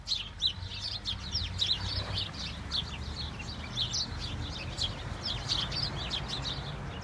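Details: A flock of house sparrows during snowfall, many overlapping short bright chirps and tweets in a dense, steady chatter, with a low rumbling hum underneath.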